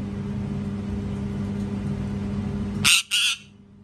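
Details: Parrot screaming very loudly: after nearly three seconds of steady low hum, two short, harsh, raspy screeches come in quick succession.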